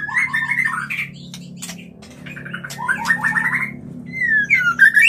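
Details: White-rumped shama mating-lure singing: fast slurred whistled trills, clicks and chirps, a quieter pause, then rippling notes and a long descending whistle, with a low hum throughout.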